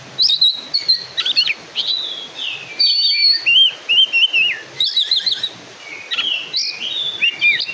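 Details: Oriental magpie-robin, black-and-white form, pouring out loud, rich whistled phrases with quick rising and falling notes, warbled trills and crisp chips, delivered in energetic bursts separated by short pauses.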